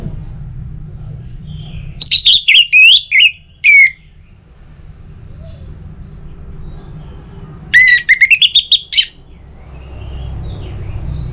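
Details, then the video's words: Lure song of an Orange-headed thrush meant to make other birds sing: two loud phrases of quick, jumbled high whistles and chirps, a few seconds apart, with a low hum between them. "ANIS MERAH Untuk Suara Pancingan Burung Agar Rajin Bunyi Ngeplong Pagi sampai Sore Hari"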